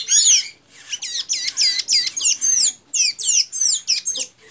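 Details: Steady, evenly spaced squeaky looping notes, about three per second, in a lively blue-gray tanager song recorded in Santa Inês, Maranhão, Brazil.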